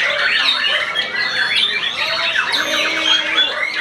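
A white-rumped shama pours out a rich, non-stop song of fast, varied whistles, sweeping slurs and sharp chips, mostly high-pitched.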